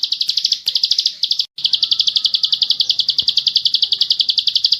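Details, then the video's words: Bar-winged prinia (ciblek sawah) in continuous ngebren song for training birds: an almost unbroken rapid rattle of high pulsed notes, with a faint clatter near the start. "burung ciblek sawah ngebren gacor"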